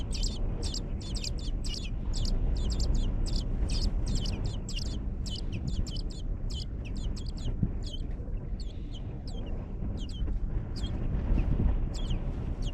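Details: Nestlings in a nest inside a hog barn, being fed by their mother: thin, high chirps repeated rapidly in uneven bursts over a steady, loud low rumble of barn noise.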